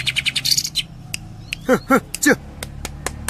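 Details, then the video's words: Greater green leafbird delivering its 'tembakan' song: bursts of sharp high chirps, then three loud, lower, downward-sweeping notes, followed by scattered clicks. "Cucak Ijo 86 Tembakan"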